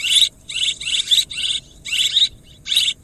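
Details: Swiftlet chatter: five or six grating, high chirpy bursts, each lasting a quarter to half a second and separated by short silences.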